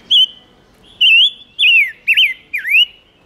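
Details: Silver-eared mesia singing as a lure to draw wild birds and excite males: five ringing whistled notes in a quick phrase, wavy and descending-then-rising, with a quiet background.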